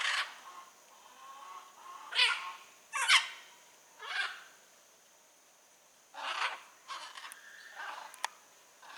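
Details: Wild blue-and-yellow macaws calling in nature: a series of coarse, grating squawks, some short and some drawn out, spaced irregularly over about nine seconds, with thin sharp clicks near the end.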